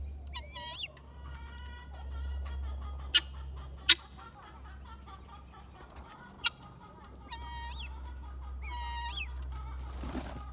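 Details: Guineafowl calls, heard as a way to tell the sexes apart: nasal, harmonic two-part notes repeated several times with brief gaps, interrupted by a few sharp clicks, over a low background hum.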